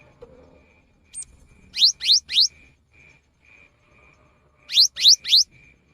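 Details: Cinereous tit song, a rainy-season lure recording: bright, upward-sweeping whistled notes delivered in quick sets of three, with two such triplets separated by a gap. A faint rhythmic pulsing tone runs underneath.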